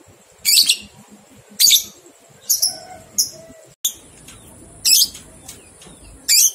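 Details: Lovebird ngekek used to encourage two-month-old young lovebirds to sing: a run of loud, harsh, screechy chatters about a second apart, with brief squeaks, a short break, and a steady high whine.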